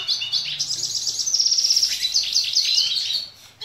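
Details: Song of a dilute red siskin, played to train young siskins to sing. The song is a continuous high, rapid twitter that builds into a dry, buzzy trill and then ends in a brief quiet.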